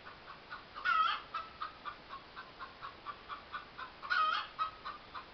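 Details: Hen in a yard clucking loudly, a fast run of short, even clucks about four per second, broken twice by longer, harsher squawking bursts near the start and again late in the run.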